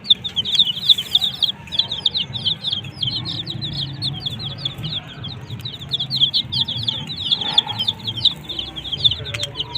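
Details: Desi chicks kept under heat with a coloured hen, peeping nonstop: rapid, repeated short high chirps, each sliding down, several chicks overlapping, with faint low rumble beneath.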